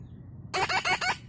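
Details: A baby red-breasted (moustache) parakeet (Psittacula alexandri) gives four harsh, rasping squawks in quick succession, each about a fifth of a second, after a brief quiet start.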